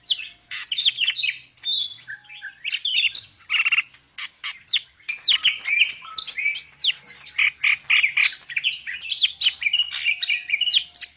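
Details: Dense, continuous song of a greater green leafbird from Medan, packed with overlapping whistles, rapid chirps, slurred notes and raspy trills with hardly a pause.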